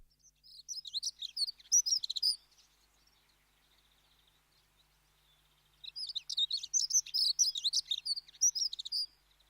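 A dunnock gives two quick, high, squeaky warbles, each jumbled phrase lasting two to three seconds, separated by a pause of faint background hiss.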